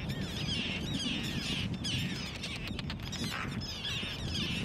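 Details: Arctic tern (Sterna paradisaea) from a family of four: harsh, grating, high, scratchy calls about once a second over a steady low rumble of wind.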